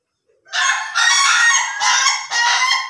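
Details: Ayam Ketawa rooster crowing: a loud, rough, continuous harmonic phrase split into four segments by brief dips, like stuttering laughter.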